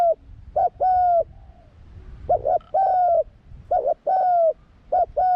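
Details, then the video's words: Young spotted dove taken into the forest for the first time as part of its training, cooing steadily. Clipped double notes are followed by long, smooth, slightly falling coos in a repeating pattern against quiet surroundings. "ฝึกนกเขาใหญ่ ออกป่าครั้งแรก"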